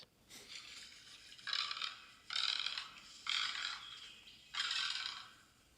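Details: A Great Egret gives five harsh, rasping, growling croaks, each about half a second long and spaced about a second apart, the kind of harsh call it uses to defend its territory.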